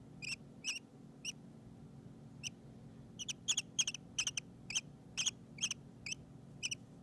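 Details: Baby lovebirds settling down to sleep make soft, high, short chirps in scattered pairs, then in a quicker irregular series of about a dozen peeps, with a steady low hum beneath.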